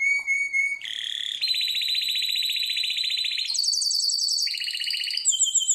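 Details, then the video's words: Harz Roller canary song for training: a steady whistled tone followed by a series of sustained, rapid, buzzy rolls, each held for one to two seconds before stepping higher or lower in pitch. "Canary singing the best sounds for training / chant de canari Elegante / Harzer roller gesang"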